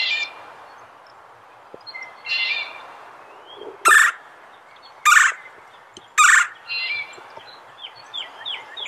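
Three loud, harsh rolling calls about a second apart from a Red-bellied Woodpecker, with softer chirps from other birds around them.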